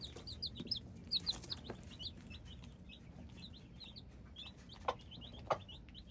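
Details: Hybrid chicks in a group giving rapid high, thin peeps, short downward-slurred notes tumbling over one another, with scattered sharp clicks and taps between them.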